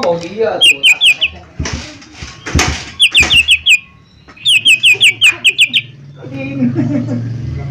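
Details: Mini leafbird lure song: short volleys of five to eight rapid, bright whistled notes separated by loud thumps and clatter, with a low background drone.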